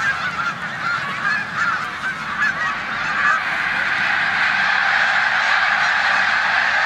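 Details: Snow geese crowding a corn field on Olmstead Road, Savannah, New York, 14 March 2020, on final rest days before migration, with Canada geese present; massed yelping honks overlap constantly and swell louder after three seconds.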